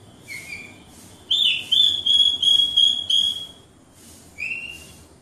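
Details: Captive Javanese Horsfield's bush lark, Wates type, in full vigorous song: soft high chirps, then a loud sustained whistled phrase broken into several linked pulses, ending with a brief rising note; quiet hum behind.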